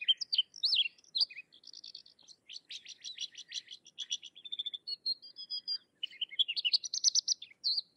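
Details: Sykes's lark singing a long, varied medley in India: high slurred whistles, rapid clicking buzzes, a thin sustained note, and twittered phrases running continuously for about eight seconds.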